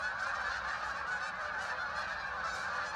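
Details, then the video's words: A continuous massed chorus as thousands of ducks arrive and settle on the water at Hockanum River Linear Park in Vernon, Connecticut, countless harsh calls blending into one steady roar. "thousands of ducks arrived making a strange noise"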